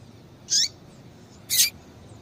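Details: Calling female Double-collared seedeater, used to excite a male. Two loud, high, slightly buzzy notes about one second apart, the first ending in a falling tail, with quiet background.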